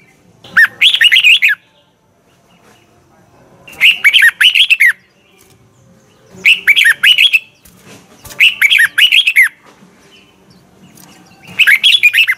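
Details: Morning song of a red-whiskered bulbul, 2020, in the 'giọng kép xoắn' double twisted voice used to train other bulbuls: five short, loud, twisting whistled phrases, each about a second long, repeated every two to three seconds.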